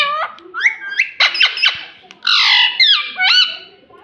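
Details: Pet rose-ringed parakeet indoors, a talking parrot saying "mummy": loud harmonic squawky syllables with rising and falling sweeps, delivered in short bursts with brief pauses between phrases.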